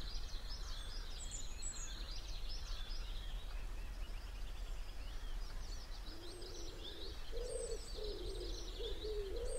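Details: Grey wagtail chicks in a nest in the recess of a canal lock gate, a hungry brood waiting to be fed, give a steady stream of thin high chirps; a dove coos low near the end over constant rushing.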